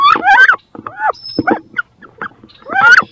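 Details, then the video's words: Two female wood ducks fighting over a nest box where both want to lay: squealing, rising whistled calls in quick bursts, with softer squeaks between and a rustle in the background. "CANARD BRANCHU (Carolin) 2 FEMELLES VEULENT PONDRE DANS CE NICHOIR / MOMENTS FORTS / CRIS"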